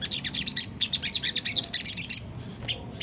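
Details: Sunda whistling thrush in a harsh ngriwik kasar twitter meant to provoke caged birds to sing; quick evenly spaced high chirps run into a thin rising trill, then stop.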